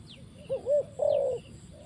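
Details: Spotted dove at a trap giving one phrase of soft coos, two short notes then a longer level note, with a faint high chirp from another bird.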